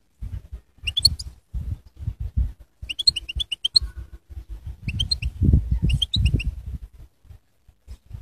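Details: Goldfinch song in four distinct bursts of quick, tinkling high notes, each lasting under a second, separated by pauses filled with low tapping and rumbling background noise.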